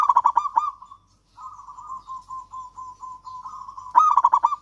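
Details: Zebra dove of the local Javanese type singing as a lure for quiet doves: opens with fast loud stuttering coos, a short gap, then a long steady purring trill, closing with another strong burst of rapid notes.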